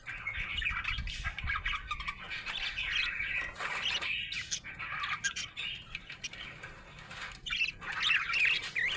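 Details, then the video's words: Budgerigar, described as happy, warbling and chirping in rapid, busy chatter with short pauses, fast twittering notes repeated many times a minute, some higher squeaky notes near the end. "Happy budgie chirping sound"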